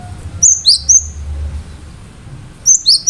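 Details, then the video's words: Cinereous tit (gelatik batu) in vigorous song of sharp notes intended to spur other birds to reply; a rapid trio of piercing high whistles with a sweeping downward slur, a pause, then another quick pair, over faint hum. "Gelatik batu gacor awas burung mu akan ikutan gacor"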